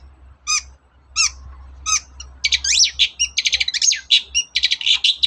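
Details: Long-tailed shrike (cendet) singing in the morning as a lure for other shrikes: a few spaced squeaky notes, then a dense stretch of rapid harsh chattering and twittering over a low hum.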